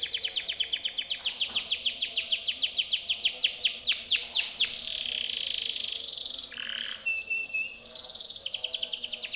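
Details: Timbrado canary singing its training song for other canaries: long rolls of fast descending curved notes, a buzzy sustained passage, a harsh low burst, a clear whistle and a final rapid trill.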